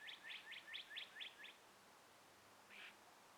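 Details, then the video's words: At morning sunrise among breezy trees, a bird gives seven quick, bright chirps in a row, then falls silent before one softer note. "birds chirping"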